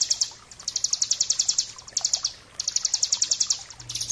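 A bar-winged prinia sings fast, high, evenly spaced chips in two long bursts, about a dozen notes a second, with a short pause between them.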